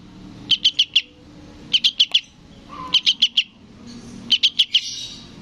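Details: Young yellow-vented bulbul calling for its parent: quick bursts of three to four sharp, high chirps, spaced roughly a second apart, with a faint low hum underneath.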